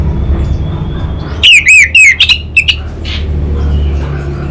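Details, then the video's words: An orange-headed thrush from North Bali bursts into about five quick, loud, looping whistled notes in the 'kabel konslet' style, then falls quiet over a steady low hum. "ANIS BATA Berkicau Gacor Membuat Burung Cepat Tanggap dan Respon Kabel Konslet Lanjut Ngeplong"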